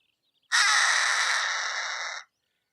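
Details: Harris's Hawk giving a single harsh, raspy, grating scream that lasts almost two seconds at an even pitch, then cuts off abruptly, against silence.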